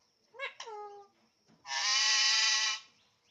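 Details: Alexandrine parakeet talking: two short rising vocal notes, then a long, loud, harsh drawn-out screech lasting about a second.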